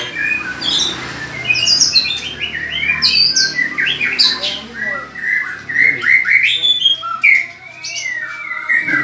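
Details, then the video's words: White-rumped shama, a caged bird in a mental test pitting a ringed bird against another, singing a dense run of loud whistled and squawky phrases that sweep up and down, with brief background noise. "Tes Mental Murai Batu Ring VS MH"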